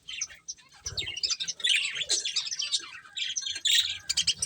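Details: Budgerigars eating, giving dense overlapping chirps and warbles, high and twittery, in quick irregular bursts with brief pauses; a few low thumps underneath.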